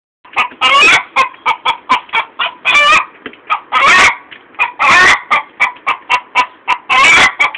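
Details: Chicken cackling after laying an egg: a series of short, sharp clucks broken every second or so by long, loud, harsh squawks, the whole outburst carrying on for over seven seconds.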